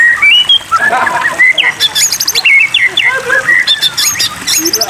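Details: White-rumped shama song over a water-therapy backdrop meant to coax birds into singing: quick varied whistled phrases, rising and falling slurs, and bursts of very high, rapid ticking notes over a steady watery hiss.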